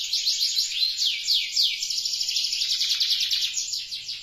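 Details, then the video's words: Canary in full song, with other canaries joining: a rich, high, rapid warble of sliding downward notes followed by a fast rattling trill, steady and loud throughout. "Kicau Merdu Kenari Gacor, Kenari lain Jadi ikut Bunyi."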